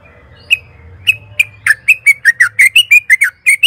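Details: Yellow-vented bulbul (trucukan) in lively 'gacor' singing, played as a lure to prompt caged birds to answer. A run of short, bright, chirpy notes, spaced at first, then quick and repeated about every fifth of a second, over a faint low hum.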